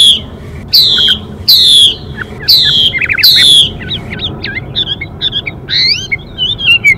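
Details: Chinese hwamei male singing with a female: loud, high downslurred whistles repeated about once a second, then a string of softer quick varied notes and twisting whistles.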